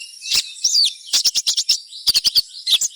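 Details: Fast twittering from a crimson sunbird, meant to get other sunbirds singing: slurred high whistly notes followed by quick, evenly spaced sharp chirps in rapid series, almost continuous.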